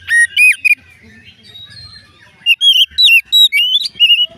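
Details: Song of an Oriental magpie-robin, said to trigger other magpie-robins into song: a short whistled burst, a soft murmuring gap, then a rapid run of loud, clear, looping whistles.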